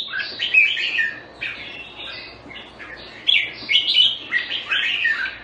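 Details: Jambul, the red-whiskered bulbul, from Singapore, singing loud cheerful warbles: clusters of slurred, bouncy whistled notes in two main bursts, a lively run at the start and a stronger one after a short pause, over a quiet low hum.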